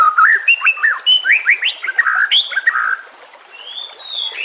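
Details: Training song of White-rumped Shama for caged songbirds: a run of loud warbled whistles with sharp up-and-down slurs for three seconds, then a soft drawn-out rising whistle over steady background hiss.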